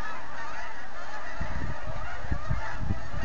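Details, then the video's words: Masses of geese departing the Rideau Waterway in autumn; rushing background noise first, then a run of low, rapid honks in the second half. "Geese taking off in Autumn"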